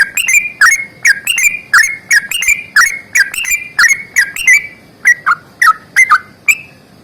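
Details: Sooty-headed bulbul in a vigorous fighting song full of long trills. A steady stream of bright bubbly whistles, roughly three per second, slowing slightly near the end with a few spaced notes.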